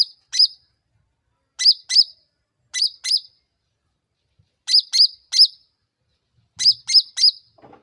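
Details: Sooty-headed bulbul in a lure recording meant to get other birds answering quickly. Short, sharp, high chirps in pairs and triplets, spaced about a second apart, with near silence between them.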